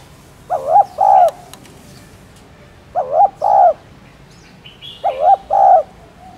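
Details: Spotted dove giving stimulating coos meant to prompt kept doves to answer. Three mellow phrases, each a quick double note followed by a longer drawn coo, roughly every two and a half seconds. A few faint chirps sound in the background.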